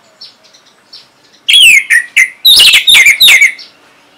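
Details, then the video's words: Caged orange-headed thrush from Singaraja, North Bali, used as a lure so other birds start singing. Faint distant notes give way to a dense, loud burst of varied whistles, trills and chirps, delivered in quick clustered phrases. "Luar Biasa ANIS MERAH ini Mampu Membuat Burung Bahan Maupun Macetan Bisa Langsung Nyaut Ngeplong!!!"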